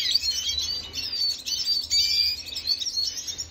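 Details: Venezuelan red siskin in song, 25 June 2022, giving a quick sequence of high twittering notes and a clear drawn-out whistle partway through, with a faint steady hum.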